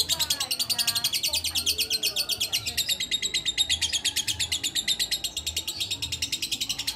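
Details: Lovebird held in a person's arms, giving a long rapid chatter of sharp, high notes repeated several times a second, steady throughout, with faint low background hum.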